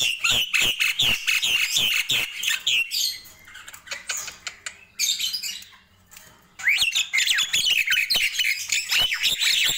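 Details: Morning chorus of Nias hill myna, fast rhythmic squawks and whistles at first, a soft scattered interval of faint notes, then loud squawky whistling resumes.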